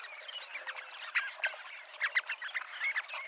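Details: Dunlin (Calidris alpina), seafront promenade at Abruñeiras, Noia, Ría de Noia; a muted background murmur of many calls, punctuated by a few clearer, sharp chirps in quick pairs.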